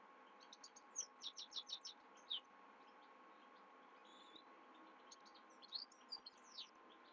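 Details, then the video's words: Himalayan goldfinch at night giving a fast cluster of sharp, high chirps and downslurred notes, a pause with a faint thin whistle, then another brief burst of twittering. "حسون هملايا يغرد بالليل"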